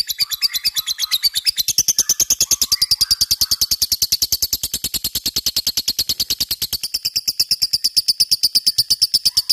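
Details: Long lovebird ngekek, the chattering song sought in fighter birds and played as a lure: a continuous, fast, high-pitched rattling trill with even pulses, lasting almost ten seconds, with faint softer chirps underneath early on.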